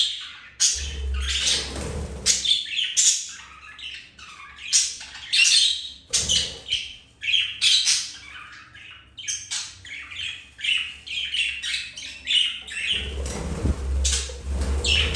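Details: Budgerigars mating, flirting and playing; continuous rapid scratchy chatter and clicks of high squawks, broken by loud low thumps or rustling bursts near the start, middle and end.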